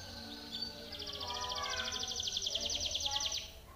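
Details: Timbrado canary song played for training other canaries: a fast, even trill of high buzzy notes held for about two and a half seconds, over faint lower tonal sounds and background hum.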